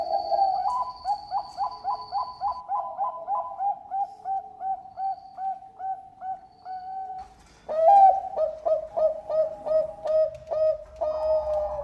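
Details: Bangkok-type zebra dove singing actively: two long bouts of soft, rapid staccato cooing notes at a steady mid pitch, pausing briefly before the second phrase.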